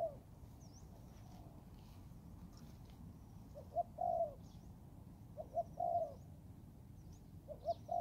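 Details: Young Thai-type spotted dove training in the forest: after a quiet start, three phrases of short pre-notes and a longer mellow coo, with thin, high, distant bird chirps throughout.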